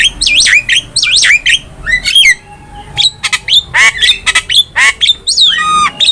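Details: Javan myna singing hard for a cage-bird training master recording: loud squawky phrases mixed with swooping whistles and abrupt harsh notes, delivered in irregular bursts.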